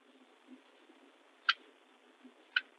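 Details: Nesting female Northern Cardinal (Cardinalis cardinalis) in Southern Ontario, fed by the male, gives two sharp, metallic chip calls about a second apart over a steady hiss of background noise.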